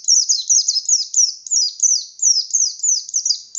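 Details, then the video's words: High-pitched ngalas song of a white-eye, sung with open beak to provoke rival white-eyes: unbroken rapid stream of shrill chirps, each sliding downward, about three per second. "Burung Pleci Gacor Pendongkrak Emosi Pleci Lain"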